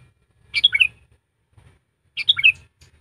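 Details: Trained caged sooty-headed bulbul used as a decoy and as a tutor for lazy singers: two short bright whistled phrases of a few quick falling notes, about 1.7 seconds apart, with faint low knocking between.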